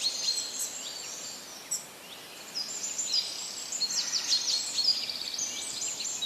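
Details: Wild birds singing outdoors in a busy chorus of rapid, very high twittering and chirping notes, with a short quiet gap early on before the calling grows denser and louder.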